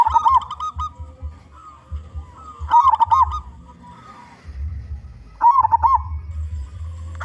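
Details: Loud local zebra dove song used to lure other zebra doves: three rolling, bubbling coo phrases about two and a half seconds apart, over a low rumbling hum.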